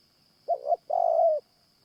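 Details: Mellow coo of a Spotted Dove at a morning trapping session using a caged decoy: a quick two-part note followed by a long, slightly descending coo, with a faint continuous high tone.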